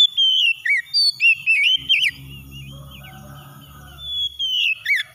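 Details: Oriental magpie-robin singing in a relaxed lure track: rapid whistled and slurred notes, about four a second, break off midway for a low rumbling noise, then loud whistled phrases return near the end.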